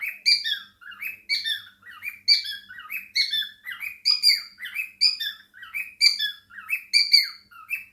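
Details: Pet cockatiel indoors, kept alongside budgies, chattering and singing: dense bursts of harsh, rising and falling chirps with bright overtones, tumbling together in quick, uneven phrases with almost no pause throughout.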